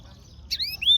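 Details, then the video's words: Aviary yellow-fronted canary (Serinus mozambicus) chirping: a quick burst of bright, high chirps, a sharp note, then a long falling whistle and a rising slurred one, over a quiet background. "Yellowfronted canary - Serinus Mozambicus - Beautiful Bird Chirping"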